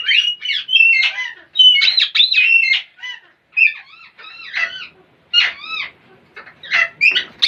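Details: Parrots giving odd, funny noises: a mix of harsh screeches and a few clear, ringing whistled notes, uttered in uneven bursts with gaps of silence.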